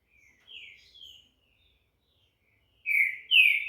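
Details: A bred green-winged saltator from Brazil sings two brief falling whistles, pauses in near silence, then delivers two louder, fuller whistled notes.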